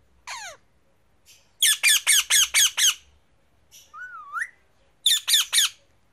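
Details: A rose-ringed (Indian ringneck) parakeet (Psittacula krameri) in a tree gives harsh, shrill screeches, one single and then bursts of three to six, with one short looping whistle between them.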